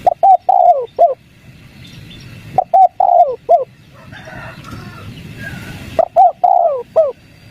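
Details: Wild-dove lure of spotted dove calling, 'kuk 3' style: three phrases of hollow coos, each a few quick notes, then a long sliding coo and a short final note, separated by quieter gaps with a faint background murmur.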